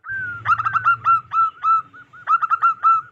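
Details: Local wild zebra dove giving a big, loud luring call: a soft lead-in tone, then a fast cluster of clipped notes slowing into rounded coos, repeated once more.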